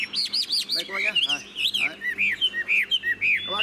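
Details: Tame caged Chinese Hwamei singing and performing, said to sing well without a female: a fast run of rising-falling slurred whistles, then varied looping phrases, clear and loud, with a man talking faintly nearby.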